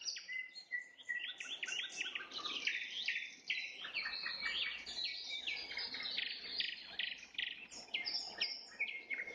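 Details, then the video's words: Nightingale trills at sunset: a stream of repeated sharp chips and rich warbled phrases, rising in density through the middle and continuing without a break to the end. "Пение соловья на закате, соловьиные трели"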